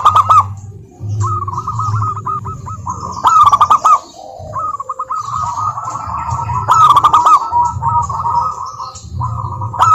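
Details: Zebra dove of a local Indonesian strain, a lure recording to make other doves sing: repeated phrases of rapid rolling coo notes separated by brief pauses, over an intermittent low rumbling hum.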